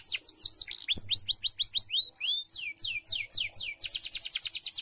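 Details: Canary training song for caged birds: fast, continuous series of bright, high descending whistled sweeps, about six to seven a second, changing into tighter rolling trills toward the end.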